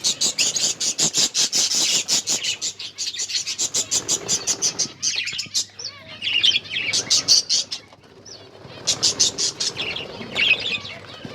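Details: Several caged finches feeding on egg food, recorded October 21, 2023, give rapid, evenly repeated high chirps in long runs, broken by brief twittering phrases and short pauses.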